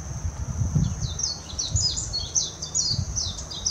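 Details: Warbling white-eye from Hashimoto, Wakayama, Japan, 26 June 2021, recorded with a Nikon Coolpix P900, giving a rambling high-pitched twitter of short descending chirps and trills, accompanied by low rustling and thumping noise underneath.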